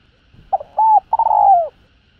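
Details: Spotted dove (cu gáy, cu đất) in a 'hạp bổi' calling and urging voice, played to stimulate other doves to call. A brief low note and a short hooked coo precede one long, slightly quavering coo that slides down at the end. The background is quiet.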